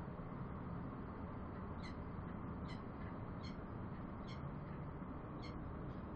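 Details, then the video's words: Bellbird starting late, then giving five or six clear tinkling notes about one per second, set against constant low-pitched noise. "Bell bird sounds"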